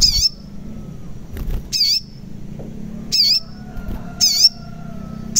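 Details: Sogon (crimson sunbird) calling in a lure track for reluctant singers. Loud scratchy high squeaks come at irregular intervals, some in quick pairs, over a faint low rural hum.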